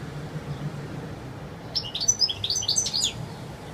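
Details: Goldfinch, European, singing wild song: after a quiet start a burst of rapid, sharp, high twittering notes runs for about a second and a half over a low rumbling background.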